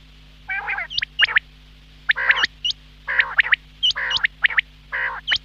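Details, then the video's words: Morning quail calls: short clusters of buzzy, nasal squawks, each followed by thin, sharply rising whistled chirps, grouped in four or five bursts with brief silences between, a constant low electrical hum underneath. "Quail Sound , Bater Ki Awaz subbha keliey ,Bedana Ovozi,бедана сайраши"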